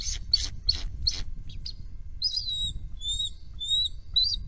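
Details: Bald eagles at a nest, part of a trio reacting to a perceived threat: a run of high, thin piping notes, then squealing chittering notes that slide downward, over low rumbling background.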